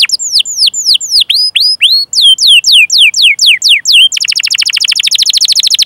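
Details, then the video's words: Canary singing long chirping rolls, played to stimulate other canaries, including young and silent birds, to sing; repeated curved whistled notes dropping in pitch, followed by a fast buzzy rattling trill. "Masteran Suara Burung Kenari Gacor Panjang cuit cuit Ngerol untuk Pancingan Kenari!"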